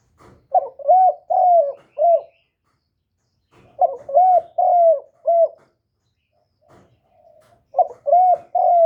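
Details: Caged decoy spotted dove cooing to lure and stir up wild doves, recorded close with no background noise: three bursts of mellow, low coos, each a short broken note then a drawn-out one, with pauses of a few seconds between them.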